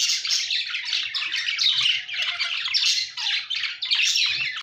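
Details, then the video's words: Budgies chirping, a dense continuous warble of scratchy, twittering notes and squawks without a break, busy and high-pitched throughout, several birds overlapping. "budgie birds chirping sounds"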